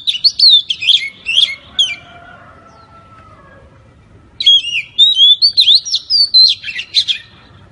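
A white-rumped shama sings rich, varied whistled phrases that slur up and down, with a brief pause between bursts.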